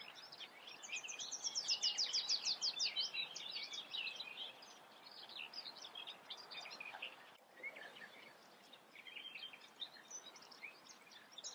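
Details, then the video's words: Eurasian reed warbler in song, a rapid churring chatter with a bright trilled flourish early on, then quieter scratchy phrases continuing after a brief break. "Teichrohrsänger (Acrocephalus scirpaceus), Eurasian reed warbler"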